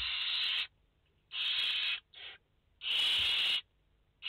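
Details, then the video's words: Barn owl chicks, five in the nest, live nest view recorded 29 August 2021: harsh rasping hisses lasting under a second, one short and one long, repeated at irregular gaps. "Chouettes effraies en direct - Płomykówki - Obecnie w gnieździe 5 piskląt"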